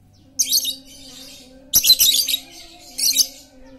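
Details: Lure recording of a very noisy lovebird meant to prompt quiet birds to sing. Harsh, scratchy high chattering comes in three clusters, the middle one longest, over a low continuous hum.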